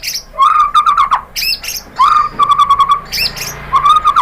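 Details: White-rumped shama (murai batu), a kept songbird, played as a lure recording; three bursts of low buzzy trills broken by sharp high notes.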